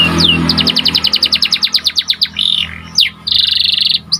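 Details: White panda canary singing in captivity: a long run of evenly spaced descending chip notes, a buzzy warble, a sharp sweep and a dense rapid trill over a low hum.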